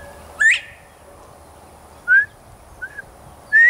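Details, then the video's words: Male Northern bobwhite in Texas, calling from a tree during a whistling exchange with a person: a sharply rising whistle, then two short flat whistled notes, and another upward-slurred whistle at the end. "Sounds of a Male Bobwhite in Texas"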